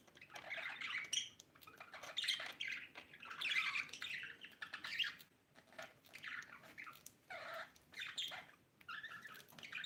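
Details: Budgerigar mother with baby, pet birds giving rough chattering squawks and chirps in uneven bursts, some short and some longer, in a small room.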